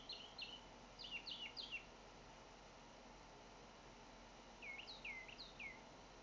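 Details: Northern mockingbird singing in Naples, Florida: a burst of rapid looping whistled notes repeated three times, a pause, then a set of upswept slurred phrases, over a steady faint background hiss.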